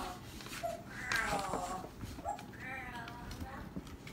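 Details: Pet parrot talking indoors, uttering short voice-like harmonic syllables, some whining and wavering, in two bursts separated by a pause, over low household background noise.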